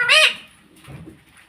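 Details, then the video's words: Pet parrot talking, said to be saying "mummy": one loud, harsh, harmonic-rich utterance in the first quarter second, then faint murmurs and quiet room sound. "Talking parrot - Bolne Wala Tota - Mummy Bolne wala tota - pattu parrot talking"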